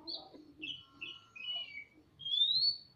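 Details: Caged magpie-robins, a male and a female, duetting in a semi-natural aviary: three or four short descending whistles, then one long, loud rising whistle near the end; quiet murmuring sounds low in the background.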